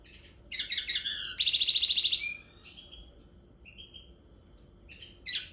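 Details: Linnet song with twittering chirps leading into a quick rattling trill, followed by scattered thin whistles and short sliding notes, then a renewed burst of chirps at the close; no other clear sounds.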